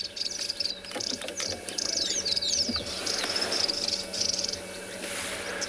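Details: Marico sunbird calling from a tree on a morning drive, 22 October 2020, in a South African game reserve: thin, high twittering chirps and quick sweeping notes among other small birds, over a steady buzz of insects.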